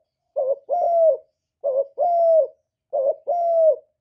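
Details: Spotted dove decoy bird cooing to provoke and lure wild doves, from Cà Mau, Vietnam. Low two-part phrases: a short wavering note, then a longer steady coo. Three phrases come about every 1.3 seconds against a quiet background.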